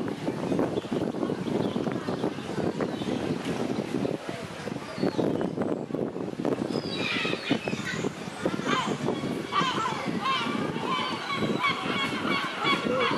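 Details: Noisy seagulls in the Nesebar area of Bulgaria; after a stretch of loud broadband background rumble, several harsh, harmonic gull calls rise and repeat through the second half, still over steady noise.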